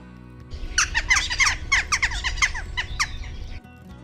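Western Jackdaws giving a quick, overlapping run of sharp, metallic 'tchak' calls, about three per second for three seconds, over a low background hum.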